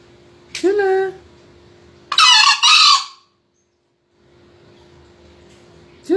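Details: A male green junglefowl crowing in a crowing contest, 2020: a harsh, hoarse two-part crow lasting about a second after a shorter tonal call, over a steady low hum.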